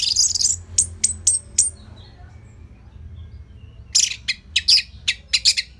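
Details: Orange-headed thrush song played to provoke and tutor other birds. Shrill, high notes burst out at the start, then a quiet gap, then another run of sharp chirps near the end.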